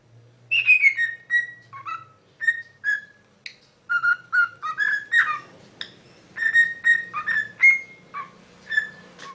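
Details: Parrot performing the Super Mario Bros. tune: a run of short, crisp whistled notes at shifting pitches, some dipping or sliding, in a lively rhythm of about two to three notes per second, with a soft low hum.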